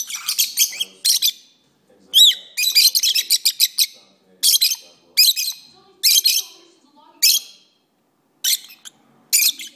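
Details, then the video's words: Lovebirds singing nonstop: bursts of shrill, raspy chirps in quick rattling runs, one rising whistled note, then spaced single harsh chirps with short silences. "my Lovebirds are singing"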